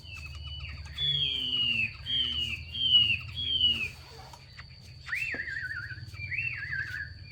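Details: Female Chinese hwamei calling to spur males to sing: four loud downslurred whistles about every 0.7 seconds, then two wavering trilled whistles, over a low steady hum.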